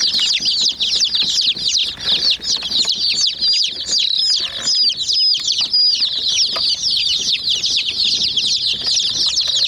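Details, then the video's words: Chicks going after a toy jeep, a crowded chorus of high chirps with a few longer, clearer whistled peeps standing out midway, plus frequent sharp pecking clicks. "Murgi Chicks Chirping Sounds"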